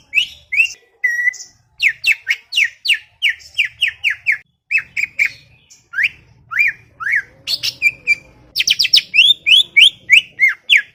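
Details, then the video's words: Greater green leafbird (cucak ijo) in a garden, chattering nonstop. Long stream of squeaky, downward-sliding notes at close to two per second, mixed with harsher buzzy bursts and high twitters, with a soft hum beneath. "CUCAK IJO cerewet bin bawel"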